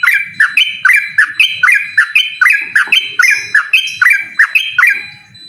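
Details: A yellow-vented bulbul sings 'ropel' style to provoke a rival, pouring out a steady chain of clipped whistles that snap down, then level off, around three each second, pitch stepping up and down evenly, soft low thumps behind.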